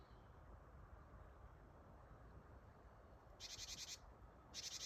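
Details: Japanese tit calling close by on 8 December 2025, a buzzy "ji-ji-ji-ji" call said to mean "gather": after a quiet stretch of steady broadband background noise, two harsh buzzing bursts come near the end.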